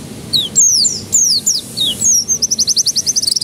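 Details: Lure recording of canary song meant to start young canaries singing: descending high slurred whistles, then an accelerating rattling trill of short buzzy notes at the end.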